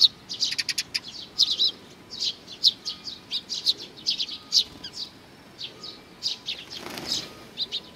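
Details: Eurasian tree sparrows gathering to be fed at a water bridge on 4 June 2020; bursts of short high chirps in quick clusters with brief pauses, and a whoosh of wing flapping near the end.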